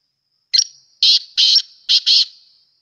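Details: Black francolin (kala teetar) calling: one short rasping note followed by four harsh, buzzy, grating notes in an uneven rhythm, over quiet background.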